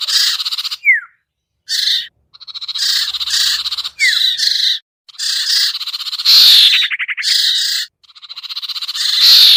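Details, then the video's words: Sirtu lure call, used to bring hard-to-lure birds down: loud, high, buzzy bursts repeated in quick phrases separated by short silences, with a brief descending whistle near the start and a rapid rattling passage late on. "suara pikat burung sertu sirtu cipoh yang susah turun"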